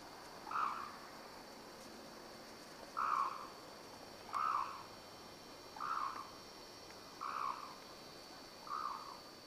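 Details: Black-necked crane kept at Akan International Crane Center in Japan, January 8, 2006, giving loud, mid-pitched honking calls with a faint higher overtone, six of them spaced roughly every two to two and a half seconds.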